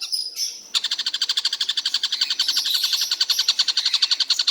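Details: Kingfisher called tengkek buto locally, described as calling all day without pause; a few brief high chirps open, then an abrupt, rapid train of harsh repeated notes runs steadily to the end.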